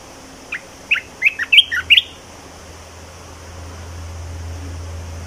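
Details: Red-whiskered bulbul in a cage giving a short phrase of about seven bright chirping whistles over one and a half seconds, followed by a steady low mechanical hum that grows louder.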